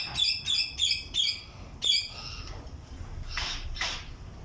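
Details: Alexandrine parakeets kept in breeding cages: five harsh, harmonic squawks fire in quick succession over the first two seconds, followed by two fainter, broader rasping calls with a low background rumble.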